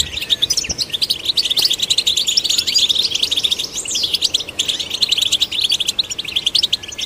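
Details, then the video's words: European goldfinch song, used to stimulate goldfinches. A loud, rapid, sparkling twitter of high notes with trills and a few descending slurs carries on throughout. "Golden Songbird vocal performance to stimulate the goldfinch"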